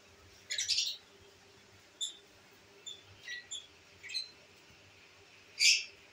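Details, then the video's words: Pet lovebirds at home, albino red-eyed birds included, give a few scattered short high chirps and one sharp squeak against a quiet indoor background. "My love birds enjoying today"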